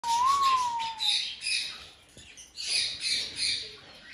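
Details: Cockatiels in a large walk-in aviary give a clear rising-then-falling whistle, followed by bursts of harsh, raspy squawking.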